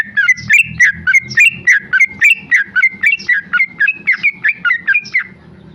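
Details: Tame male Sooty-headed bulbul (trucuk) delivering rapid ropel song, a continuous run of loud, warbled whistles that rise and drop, about three or four phrases each second, fading near the end over faint low hum.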